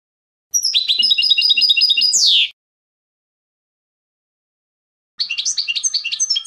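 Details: European goldfinch singing the clean contest song style (canto limpio) meant for training young goldfinches: a fast rolling trill ending in a falling swept note, a long silence, then a burst of jumbled high twittering notes.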